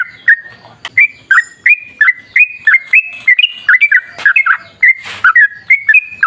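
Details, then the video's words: Sooty-headed bulbul from the wild in energetic song, used to provoke other bulbuls to sing: bright whistled notes that rise then level off, repeated in quick succession, with a few sharp clicks and a short hiss. "Suara trucukan gacor ropel ngalas"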